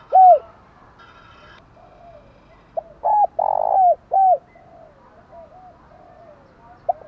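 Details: Spotted dove cooing to lure wild birds: a loud falling coo, then a full phrase of short note, hooting coo, long burred coo and falling coo, with softer answering coos afterward.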